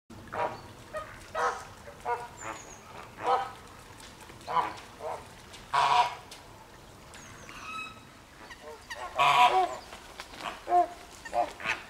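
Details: Flamingos at the Llanelli Wetland Centre in Wales on 21 August 2021, a noisy group giving scattered nasal honks, some short and some drawn out, spaced irregularly with quieter gaps between.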